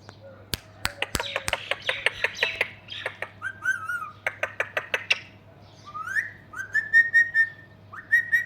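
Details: Pet talking parrot, said to have gone crazy in the summer heat, giving a rapid burst of sharp clicks and squawks, then rising whistled notes and harmonic chattering calls with brief pauses, over a steady low hum.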